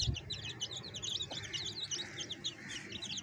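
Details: Chicks beside their hen peep continuously. The high, chirpy notes are packed closely together, with a low thump at the start and a soft background hum.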